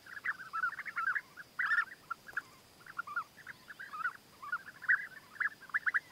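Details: European bee-eaters in courtship, where the male offers gifts to gain the female's favour: bursts of short, rolling, mellow trills from several birds, uttered in quick clusters with brief gaps between.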